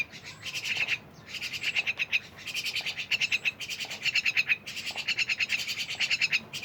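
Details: Rapid grating chatter from a myna, long runs of fast raspy pulses broken by brief pauses, with soft background hiss.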